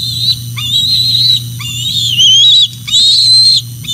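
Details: On a nest camera at Decorah North, a young bald eagle returns on a June 2024 evening, giving high, thin whistles that waver and break into short stutters, repeated about once a second, with a low constant hum beneath.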